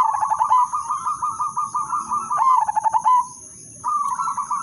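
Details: Melodious song of a udanmas silver zebra dove, used as a lure to get other zebra doves singing: long runs of fast, pulsing, rolling coos that break briefly and then resume, with a steady high electronic hum in the background.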